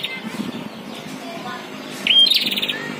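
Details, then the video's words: Prinia, in a contest between a caged and a wild bird, gives a brief burst of rapid, high, buzzy repeated notes with a thin whistle, after soft scattered chirps in the background. "PERTARUNGAN SENGIT BURUNG PRENJAK"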